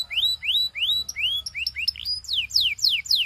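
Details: Belgian canary song made of clear upward-slurred whistles repeated about twice a second, shifting to sharp downward-sweeping notes near the end.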